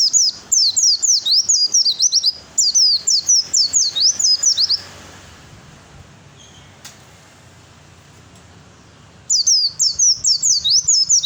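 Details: Fighter song of an Oriental white-eye, sung to provoke other birds into replying: fast runs of high, sharply falling whistled notes, about two per second, then several seconds of near-quiet before the rapid high notes resume.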